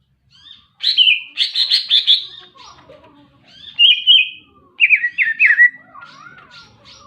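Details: Lively greater green leafbird song of clipped, chattering whistles in several bursts, some stepping downward in short slurs, with softer warbles fading out at the end.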